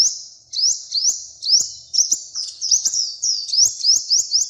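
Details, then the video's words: Small, beautifully coloured bird in steady song: a continuous high stream of quick upward-sweeping chirps, closely spaced and rhythmic throughout. "The little bird has a very beautiful color and sings very well"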